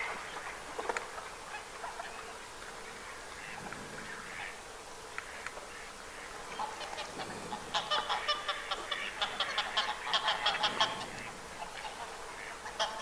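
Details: Gadwall calling in winter at a Catalonian wetland reserve, 24 January 2022: a scatter of short nasal, reedy notes, with a denser burst of overlapping calls partway through, perhaps from several ducks together.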